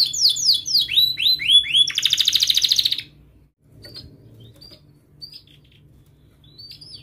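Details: Young-canary tutor song: a quick run of descending whistled sweeps and a buzzy trill for three seconds, followed by sparse faint chirps.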